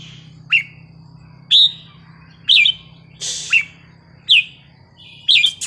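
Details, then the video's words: Sweet-phrased wild song of a red-whiskered bulbul. Loud whistled phrases, some warbled and some sharply falling, repeat about once a second. Faint hum in the background. "นกกรงหัวจุกเพลงป่า สำนวนเพราะ ๆ"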